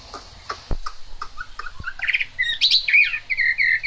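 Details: Chinese hwamei in the rain: a few sharp taps and faint notes, then rich buzzy phrases and clear high whistles building toward the end.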